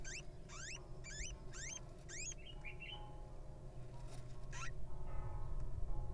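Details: Hatching wild little owl chick calling from the egg: five quick, sharply rising squeaky notes spaced roughly half a second apart, then softer wavering chirps and one more rising squeak, over a low hum.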